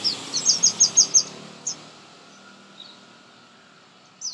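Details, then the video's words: Baby birds calling while being fed, a burst of six sharp high chirps in rapid even succession, then a few scattered single notes and a short final squeak. "Most Beautiful Baby Birds Feeding - Feeding Baby Birds Close Up - Birds Chirping Sound Effect."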